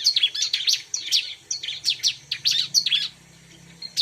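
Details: Bar-winged prinia song for luring birds: busy bursts of shrill, sharp chirps and slurred high notes for three seconds, then a near-silent pause before a last brief chirp.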